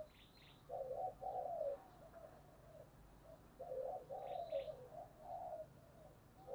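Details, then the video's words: Spotted dove cooing to lure wild doves: two quiet, burry, mid-pitched coo phrases about three seconds apart, each a short note run into a longer rolling one, with faint high chirps of other birds and a soft background hiss. "tiếng cu gáy thúc căng lửa, mở lên bổi nghe gáy theo cả ngày"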